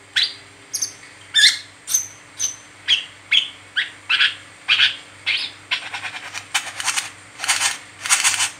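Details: Brown-throated sunbird, locally kolibri kelapa or wiceh, chattering continuously in the 'ngeriwik' style used to prompt other birds to sing: high, clipped chirps at first, then a rapid run of buzzy, rasping notes, with a low steady hum behind.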